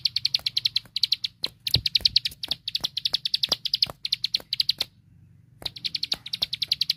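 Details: Tutor recording of a prinia (ciblek sawah) singing 'tembakan' phrases: fast series of high chirps in tight clusters, a brief silent gap near the end, then the rapid chirping resumes; loud clicks punctuate it.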